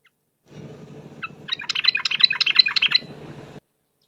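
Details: Yellow-vented bulbul in a long lure recording, very vocal: a burst of rapid, bubbly chirps and chattering notes lasting about two seconds, set over a low rumbling background hum.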